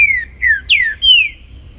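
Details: Trinca-ferro performing the baruc song in the morning: four clean, strong whistles, each sliding downward, spaced about a third of a second apart, on a quiet background.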